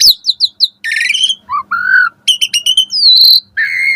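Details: Energetic Asian pied starling with a varied morning song used to train caged birds: quick high chirps, a buzzy burst, low slurred whistles, then crisp repeated notes and twangy whistles.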